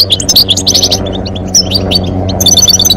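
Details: Male European goldfinch singing and female calling to stimulate mating. Rapid tinkling, twittering phrases of clear high notes come in quick runs, with steady background music droning underneath.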